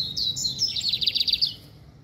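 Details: Lined seedeater in brown plumage singing: a high whistled note sliding down, then a fast, even series of buzzy chips around eight to the second, fading out near the end; steady low background hum.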